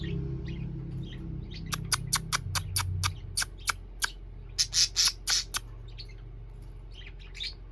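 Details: Evening calls from a pair of parakeets: a low hum at first, then a row of sharp, evenly spaced chirps and a short burst of louder squawks, followed by a few softer twitters.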